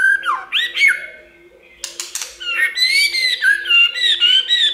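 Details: White-rumped shama song of many voices, played to prompt birds to sing: a falling whistle and sharp snapping clicks, then a run of bright, wavering whistled notes that rise and fall, with a constant low hum.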